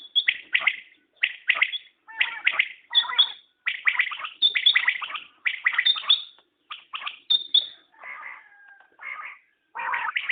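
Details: {'caption': 'Common quail calls in quick succession: sharp, clipped triplets mixed with thin high notes and a few softer, lower buzzy phrases.'}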